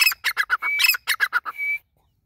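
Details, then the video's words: Grey francolin (Dakhni teetar) calling in a quick burst of loud, ringing, repeated notes with drawn-out whistles woven in, ending on a long steady whistle before silence. "Dakhni Teetar Grey Francolin Teetar Ki Awaz"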